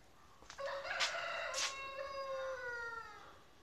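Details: Chicken crowing on a farm during a short farm tour: one long harmonic crow of about three seconds, opening with sharp bursts and then held level before slowly falling in pitch, over faint background hiss.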